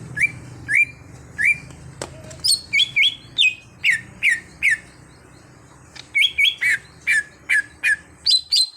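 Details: Cucak hijau (greater green leafbird), a raw bird trained to sing actively, gives spaced, loud whistled notes that speed into a lively run of rising and falling chirps, with a faint low hum behind.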